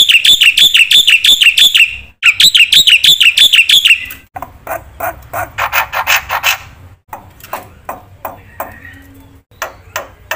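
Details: Black-winged myna singing actively with a full, varied repertoire, used as a lure and tutor for silent birds: about four seconds of rapid, repeated clear whistled notes, then harsh, buzzy broadband chatter and scattered sharp clicks.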